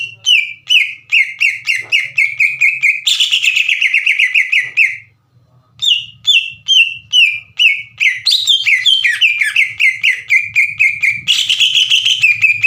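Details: Green leafbird in full song, played to provoke other leafbirds into singing back: rapid strings of clear whistled notes and chirps repeated about twice a second, with trilled rising and falling runs, a short pause midway, faint low hum beneath.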